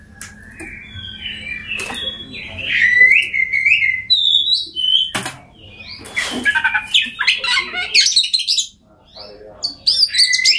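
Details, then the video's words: Oriental magpie-robin song played to get mute birds singing: bright whistled notes and chattering phrases come in quick bursts with short pauses, while a faint voice and low background hum sit underneath. "Kacer Bisu, Dijamin Bunyi Setelah Mendengarkan Suara Kacer Ini"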